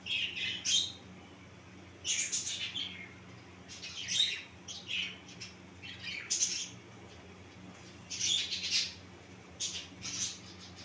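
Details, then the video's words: Finches kept in a cage for breeding repeat short high-pitched chirps and squeaks in bursts about every second or two, sometimes several birds overlapping, over a soft constant hum. "Finch bird sound"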